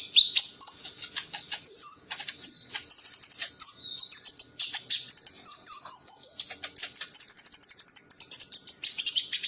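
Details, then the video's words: Champion songbird pouring out varied high whistles, slurred falling notes and buzzy trills, ending in a run of quick, evenly repeated chips. "MASTERAN BURUNG JUARA"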